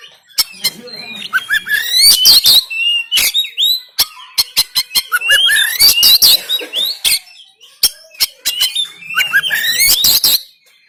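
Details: Oriental magpie-robin, Banten, Android phone recording of coarse 'tembakan kasar' song to rouse lazy caged birds and make them open the tail: repeated phrases of sharp cracks and climbing whistles, recurring roughly every four seconds.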